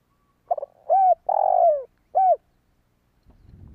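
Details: Spotted dove calling, used to lure wild doves: a short stuttering note, then three low cooing phrases near 700, the middle one long and slurred downward, others brief arched coos.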